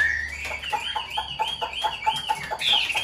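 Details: Captive hand-tame Chinese hwamei giving a rapid series of short arched whistled notes, each paired with a lower note, repeated about four times a second, ending in a higher squeal.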